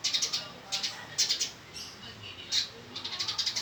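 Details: Male Eurasian tree sparrow, described as fighting, giving bursts of short, high, sharp chirps in quick clusters of three to five, with brief pauses between groups against a quiet background hiss.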